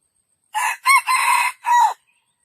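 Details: Junglefowl crowing, described as a best crow: a loud four-part crow lasting about one and a half seconds, with a short opening note, a sharp rising second note, a long sustained middle note and a falling final note, in silence.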